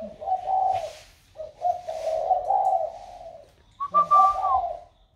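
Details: Captive spotted dove, about one year old, newly cooing in a warm 'thổ' voice style; three low, mellow hooting coo phrases, the last ending with a higher clear note, recorded in a small room.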